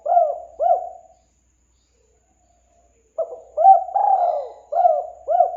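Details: Spotted dove cooing, played to lure birds: two short bursts of low hollow coos, each a quick stuttered series of rounded notes, separated by about two seconds of silence.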